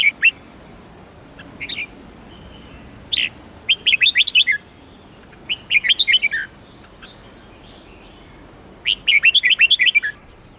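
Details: Red-whiskered bulbul singing melodiously: short warbled phrases of about six to eight quick, bright, slurred notes, given three times with pauses between, plus a few single chirps; quiet background otherwise.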